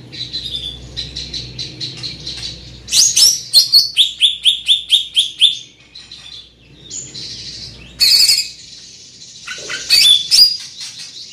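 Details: Large-bodied greater green leafbird with a loud, penetrating voice delivering a lively song of rapid repeated high notes, a fast run of about ten clipped whistles, then harsh buzzy bursts and mimicking chirps.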